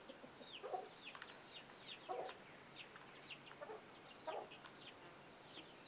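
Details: Adult chicken with young chicks, alert calls sending the chicks scrambling; faint, falling chick peeps and four low clucks spaced one to two seconds apart.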